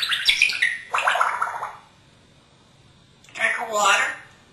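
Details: Pet African grey parrot living in a home in Texas, hatched in 1997, imitating words and sounds: two bursts of rough, speech-like chatter and squawky syllables separated by a pause of over a second, recorded indoors.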